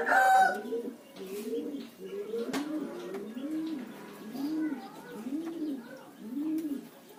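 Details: Spotted dove lure recording: low, soft, rounded coos repeated at an even rhythm about every second, with faint higher coos in the background and a brief sharp noise at the start.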